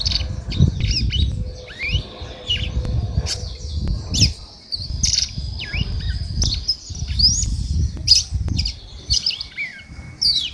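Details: Female red-cowled cardinal with a male-like song: quick high chirps and rising whistled slurs in uneven bursts, ending with a thin held whistle, against low background rumble.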